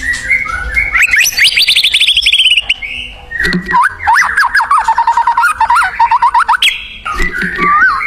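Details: Free-living white-rumped shama singing energetically: a long series of whistled notes sliding downward, then a bouncy run of repeated rising-and-falling whistles, ending in softer warbled phrases.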